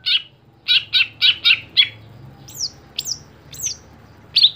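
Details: Greater green leafbird kept in a cage for song competitions: a quick string of six rasping buzzy notes, followed by sharp, descending whistled notes spaced roughly half a second apart.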